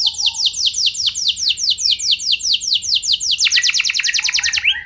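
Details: Canary song used as a lure to prompt other canaries to respond: fast trills of steeply falling whistled notes repeated several per second, then a switch to a quicker, lower rolling trill near the end.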